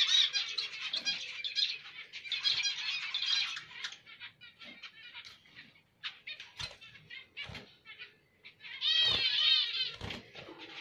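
Zebra finches give nasal, buzzy, toy-trumpet notes in quick chattering bursts, broken by a few sharp clicks and knocks close by.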